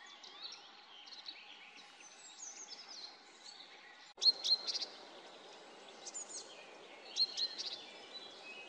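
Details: Long-tailed tit pair building a nest at the edge of the Siemianówka reservoir, filmed from a distance; short bursts of thin, very high chipping and trilled calls, loudest near the middle and end, over a dense background of other small birds.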